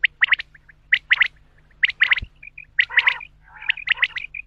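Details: Male common quail giving clipped three-note calls roughly once a second, mixed with softer chirps and a couple of lower, buzzier bursts toward the end.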